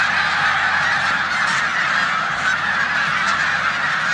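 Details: Snow geese on their last days of rest in Savannah, New York, March 2020, feeding in a corn field beside Canada geese; a thick chorus of high honks, a few louder calls standing out above the steady din.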